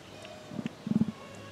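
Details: Female emu, Tama Zoo, Japan, January 2023, making a mysterious drum-like 'pon pon pon': two low hollow beats, a short pause, then a fast run of four or five deep thudding pulses.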